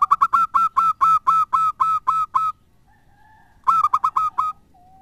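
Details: Zebra dove song used as a lure so that other doves, rivals and companions alike, call back: a rapid run of about ten clipped coos, a short pause with faint murmur, then a second burst of five notes.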